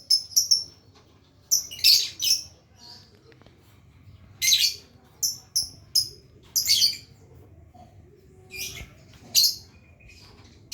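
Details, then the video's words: Lovebird learning the long trill, giving sharp high chirps singly and in short bursts with silent gaps, over a low steady hum. "burung lovebird belajar ngekek"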